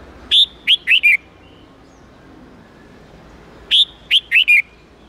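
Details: Red-whiskered bulbul singing a wild-standard 8-9-10 note style meant for teaching young birds: two quick bursts of four clear whistled notes, the first note longer and higher, separated by a few seconds of silence.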